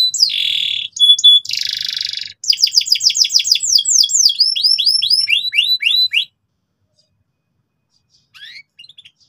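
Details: Canary in loud, insistent song for tutoring young canaries in ngeriwik: buzzy rolled trills, then a rapid series of repeated descending whistled sweeps, ending in silence with a few faint notes.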